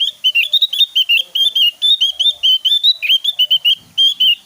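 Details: Javan white-eye in lively, full song, used as a master recording to lure and teach other white-eyes to sing: a fast, continuous chatter of short, high, bright twittering notes, about four per second, with slight rises and falls throughout.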